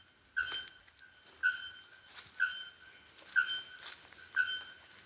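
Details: Bare-throated bellbird in pure forest, giving loud, sharp, ringing metallic notes, each a clipped bonk, repeated about once a second in an even series of five; faint background hiss.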